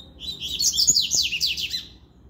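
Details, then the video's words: Regional-style song of a Double-collared seedeater, one of three competing in a singing contest: a loud, dense run of high, rapid, sweeping and buzzy notes lasting about two seconds, with almost no background noise. "disputa de canto regional 3 coleiros"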